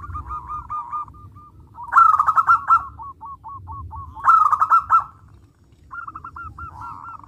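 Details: Local zebra dove in full, loud song: short hooked coos repeated in series, broken twice by loud, rapid, staccato rolling bursts about two seconds apart, then more coos, with low rumbling background noise.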